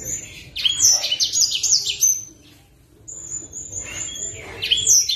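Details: Copper-throated sunbird, kept in captivity, gives bursts of thin, high, rattling chirps, falls silent for about a second, then resumes with a long sustained high note and more squeaky twitters.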